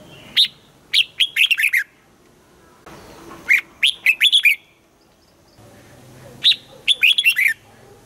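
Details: Red-whiskered bulbul during morning song training for the double-note 'âm kép già rừng' style, repeating a bright rolling phrase of six or so rapid whistles about every three seconds over a low hum.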